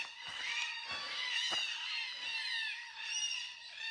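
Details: Red-tailed black cockatoos, heard but hard to see, with a couple flying, at Jarrahdale near Perth, Western Australia, give loud, harsh, grating screeches that overlap almost without a break, with a few soft footfall-like knocks underneath.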